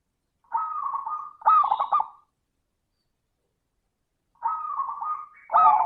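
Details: Local zebra dove with a 'crystal' voice, sung as a lure for other doves: two phrases, each a held whistled coo followed by a fast stuttering trill, separated by a long silence.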